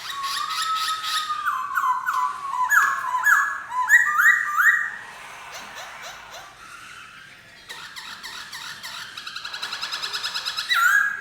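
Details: Black-throated laughingthrush song: rapid, bubbling whistled notes in quick stepped series for about five seconds, then a quieter stretch of softer notes and a faint rhythmic ticking.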